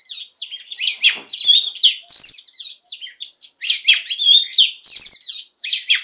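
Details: Varied song of a female Oriental magpie-robin rousing males to sing: dense runs of bright whistles, chirps and slurred notes in phrases roughly two seconds long, split by brief gaps.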